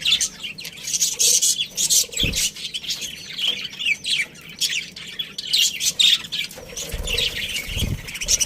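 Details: Breeding-pair budgerigars within a colony keep up continuous bright, scratchy chirping and squeaks from many birds, broken by two dull low knocks.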